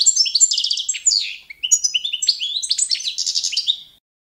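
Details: Competition-standard song of the goldfinch subspecies Carduelis carduelis balcanica for training: high rippling trills and liquid twittering notes, a short dip near the middle, then the phrase ends after about four seconds.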